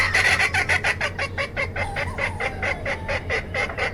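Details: Flock of chickens of various kinds giving steady rapid clucks, about two per second, bright and choppy, with a low continuous hum beneath.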